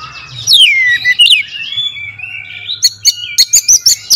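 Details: Oriental magpie-robin song used as a lure, opening with long downslurred whistles and a wavering note, then ending in a quick series of about eight sharp, high staccato notes; faint low hum underneath.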